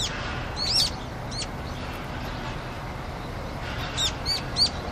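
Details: Brown-eared bulbul on a Seoul rooftop, Korea, on a cold winter day (6 Feb 2020) with water frozen elsewhere, visiting to drink; short, sharp, high squeaky calls in two brief bursts over a low hum of city noise.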